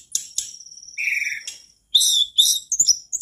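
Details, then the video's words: Lively mangrove blue flycatcher song intended to get other birds singing; sharp high notes and a steady thin whistle over a scratchy warbled phrase, followed by loud bursts of rich twittering. "Tledekan bakau gacor di jamin tledekanmu langsung nimbrung"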